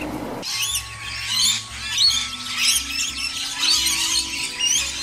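Rainbow lorikeets give a continuous, overlapping chatter of shrill, high screeches and chirps, several birds at once, over soft background music with steady held tones.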